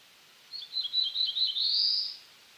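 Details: Eastern North American black-throated blue warbler gives a single buzzy song: a few lazy, slurred notes that build into a higher, drawn-out buzz at the end.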